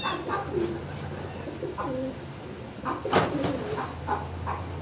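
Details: Turkeys in a barn on 26 March 2019 around midday: several low, harmonic calls rise and fall through the clip, with a sharp knock just after three seconds and a steady low hum of barn machinery.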